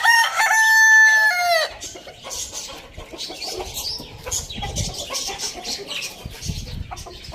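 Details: Rooster crowing in the morning: one loud drawn-out cock-a-doodle-doo with stacked harmonics lasting about a second and a half, then a falling tail, followed by quieter clucks and background farmyard noise.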